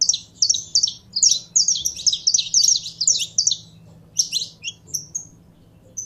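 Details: Warming-up saffron finch in captivity: a dense rush of high, bright chirps for about three seconds, then sparser single notes spaced out toward the end.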